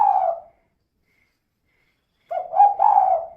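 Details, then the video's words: Female spotted dove calling, used as a lure to get other doves singing; one cut-off coo, then after a pause a short phrase of three or four low, hollow, bouncing coo notes. "Suara Burung Tekukur Betina Gacor Kuk 2 Untuk Pancingan Biar Cepat Bunyi"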